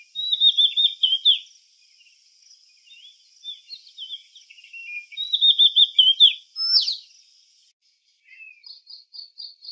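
An Oriental magpie-robin sings high, varied whistled phrases with quick trills and sharp upslurred notes, over a steady high insect-like hiss.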